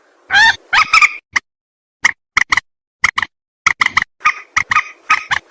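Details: Lure call of a white-breasted waterhen for bird trapping: two loud, rough squawks, then short clipped croaks given singly and in pairs, speeding into a steady, hurried series.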